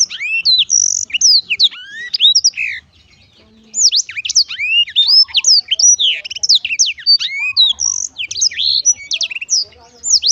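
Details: Black-throated canary song: a burst of high whistled slurs and chirps, a pause of about a second, then a longer, even busier run of rapid twittering and swooping notes.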